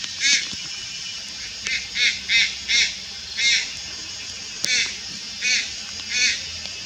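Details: Malayan night heron juvenile recorded at Lugu, 4 August 2022, repeating about nine coarse, nasal, grating calls, sometimes in pairs, at uneven intervals of half a second to a second, with insect buzz throughout.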